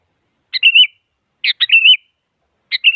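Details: Sooty-headed bulbul song meant to provoke a rival so a quiet bird sings: phrases about a second apart, a gritty burst then a slurred, rising and falling whistle, the third cut short, nothing else audible.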